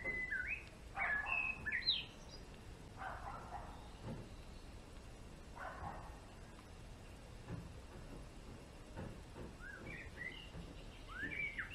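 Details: A male European greenfinch opens with a lively run of sliding whistles and twitters, then gives scattered softer notes, with a few more chirps near the close.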